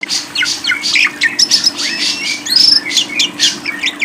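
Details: Lovebird chattering in a fast, dense run of squeaky, shrill chirps and short scratchy notes, with a faint steady low hum underneath.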